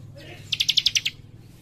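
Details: Young leaf warbler called cikrak, an active singer, gives one brisk trill of seven evenly spaced, bright high chips in rapid succession, over a soft low hum.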